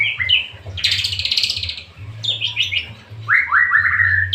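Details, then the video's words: White-rumped shama in full song: rich whistles, a harsh buzzy burst, a run of fast descending notes and rising slurred whistles, over a low constant hum. "murai batu gacor"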